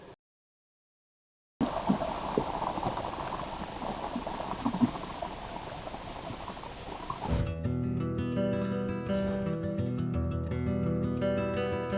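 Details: A brief silence gives way to rumbling, crackling outdoor noise, then steady instrumental music with sustained tones; no animal voice stands out.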